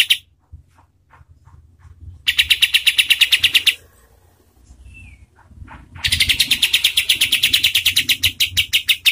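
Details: Kapas tembak bird singing, used as a tutor song for contest birds: two long bursts of rapid, sharp, high chattering notes, each a rolling stream of about a dozen strokes, separated by a quiet pause with faint soft ticks.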